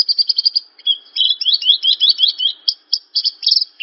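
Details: Branjangan, the Javan bush lark, singing: a dense, fast stream of high twittering notes, sliding up and down, broken by brief gaps and ending in clipped chirps.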